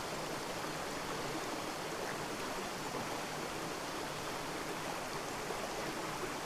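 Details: Steady rushing of a stream fills the recording, with no animal voices heard.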